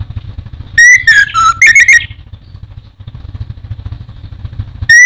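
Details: Orange-headed thrush, a popular caged songbird in Indonesia, delivers a loud rapid phrase of whistles dipping downward and rising again, then a pause with low background rumble before a new whistle starts.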